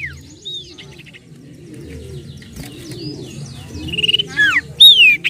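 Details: Common Iora (cipoh/sirtu) song used as a lure to attract birds: scattered high chirps and short whistles, growing louder toward the end with loud downslurred 'nyiull' whistles, over a constant low rumbling hum.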